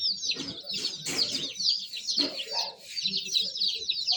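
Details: Baby chicks chirping busily, many thin, piercing peeps tumbling over one another, punctuated by a few scratchy rustles and soft low taps.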